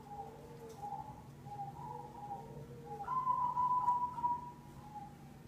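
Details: Lure song of a cemani zebra dove, used to set others singing; quiet, evenly spaced short coos lead into one louder, sustained rolling note, over a faint background hiss.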